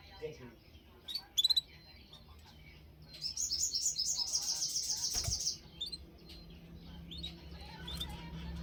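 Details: Canary gives a few scattered sharp chirps, then a dense two-second trill of high, rapidly repeated notes, followed by softer twittering and a sharp click, over quiet background.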